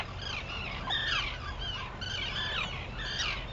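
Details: Arctic terns at dawn on Seal Island, Maine, in June 2018: arched, scratchy cries that rise then fall, spaced about every second and a half, a few birds overlapping, with low rumble behind.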